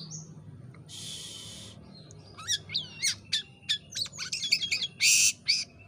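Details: Jalak kapas myna in full song, used as a tutor recording for training birds: a long buzzy rasp, then a rapid run of sharp whistled sweeps, clicks and chirps, ending in another harsh buzzy burst.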